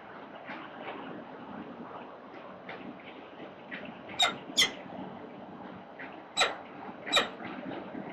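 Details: Peregrine falcons in Melbourne's central business district, 4 October 2020 at 09:29: four short, harsh squawks come in two pairs, near the fourth and again near the sixth to seventh seconds, over a steady hum of city traffic.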